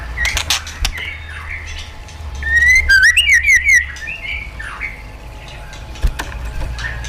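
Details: White-rumped shama song in the wild style used to train caged birds. A rich cluster of rapid, slurred whistles swells mid-clip, with quieter scattered notes before and after and a low hum beneath.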